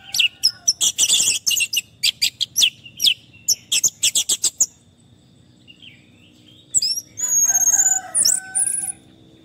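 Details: Orange-headed thrush song used as therapy for stressed birds that have stopped singing: a fast series of sharp, high chirps and buzzy notes, then a pause, then slurred whistles and warbled phrases.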